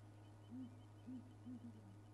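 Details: Southern ground hornbill at Djuma Game Reserve, South Africa, on a morning drive on 10 July 2011. One bird on the left side of the road answers another, keeping in touch after being split up before dark. Deep, low booming notes, about four in two seconds, over a steady engine hum.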